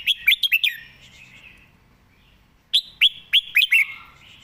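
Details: Red-whiskered bulbul in a cage singing fast, fluty notes that dip and rise: a quick burst of four or five notes, a pause of about two seconds, then another run of five sharp whistled notes.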